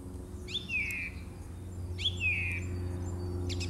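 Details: Song thrush singing in March 2018, the same phrase given twice: a clear whistled note gliding down into a short trill, repeated about every one and a half seconds, with a steady low hum behind.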